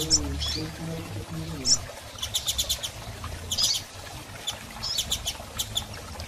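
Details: Female Double-collared seedeater calling to stimulate a male after moult: repeated short bursts of rapid high ticking chirps with single sharp notes between, and a low voice-like hum at the start.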